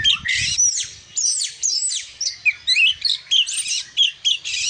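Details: Oriental magpie-robin, described as a vigorous singer, delivering a rich, varied song of sweet whistled slurs, rising and falling notes and harsh buzzy bursts in quick succession, with brief pauses between phrases.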